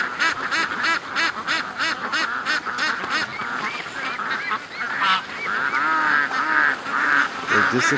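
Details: A flock of ducks is let out of their pen in the morning after waiting an extra hour and rushes to the creek. Loud harsh quacks come in a rapid, regular run at first, then break into overlapping, drawn-out calls.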